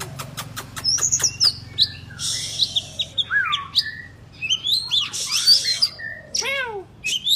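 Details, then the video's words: Oriental magpie-robin, a kacer, singing to encourage silent birds to sing; rapid clicks open, then harsh scratchy bursts, swooping whistles and a series of steep down-slurred notes. "KACER GACOR Terapi agar Kacer Malas Bunyi nyaut ikut GACOR"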